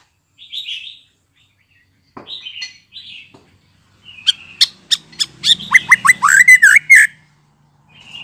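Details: Freshly weaned young white-rumped shama used as a model to stimulate fledglings to learn sounds; soft buzzy notes, then a fast burst of sharp clicks and chirps rising into squealing twitters.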